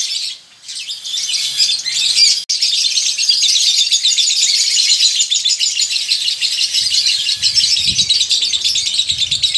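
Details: Male lovebird singing a long ngekek trill in a colony, indicating breeding condition: high, fast, grating chatter kept up continuously after a short pause and a click, with soft low knocks toward the end.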